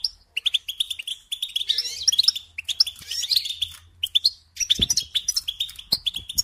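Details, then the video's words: Caged goldfinch in song, bursts of fast twittering and trilled chirps separated by short gaps, with a soft low hum and a couple of knocks in the background. "Supporting and Singing Along with Goldfinches"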